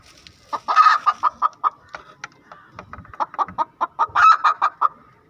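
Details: Hen cackling after laying an egg: a series of loud, rapid clucks in quick bursts, with a harsher drawn-out squawk near the start and another near the end, then the clucking trails off.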